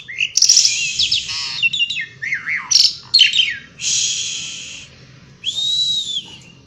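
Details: Asian pied starling singing outdoors in a continuous, varied run of harsh buzzy bursts, whistled swoops, rattling notes and long grating phrases.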